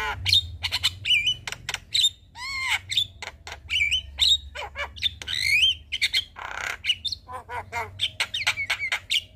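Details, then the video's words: Evening song of a Javan myna used to teach young mynas: dense mix of clicks, rattling squawks, looping wavering whistles and a noisy hiss, delivered fast and irregularly over a constant low drone. "Masteran Jalak Kebo Sore Hari Bikin Burung Jalak Muda Cepat Gacor"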